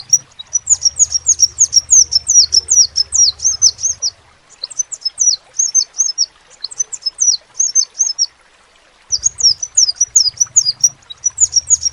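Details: Actively singing crimson sunbird giving bursts of sharp, very high downslurred notes in quick succession, separated by two clear gaps, over a faint low humming background.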